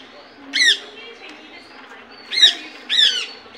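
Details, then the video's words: Indian ringneck parakeet uttering three harsh, grating squawks, one early and a close pair near the end, over a quiet hum. "Natural Voice of Parrot"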